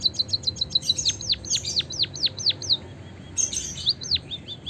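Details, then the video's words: White-headed munia, known locally as bondol haji, giving rapid high chirps meant to set other birds singing: fast ticking notes that slow into evenly spaced, sharply falling chirps, a brief hissy burst, then more chirps. "suara kicauan burung emprit kaji gacor pancingan burung pipit emprit peking bondol hajimu biar gacor"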